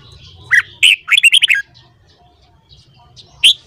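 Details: Red-whiskered bulbul singing in the morning for voice training. A rapid phrase of about eight bright, bubbling notes is followed by a pause and then one sharp, high chirp, over faint low hum.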